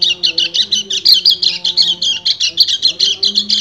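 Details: Male white-eye in breeding condition singing to call a female: quick pulsed bursts of high, chattering twitters, with a faint, steady low hum running underneath.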